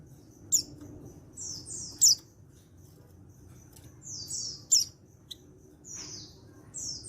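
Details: Recorded 14/10/22, a male white-eye, an untrained bird from Pacitan, calls to make others respond: shrill high chirps spaced every one to two seconds, each joined by a thin sliding trill.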